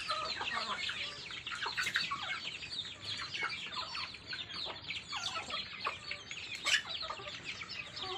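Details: A flock of chicks eating, giving constant overlapping high-pitched downslurred peeps, with scattered sharp clicks from pecking at food.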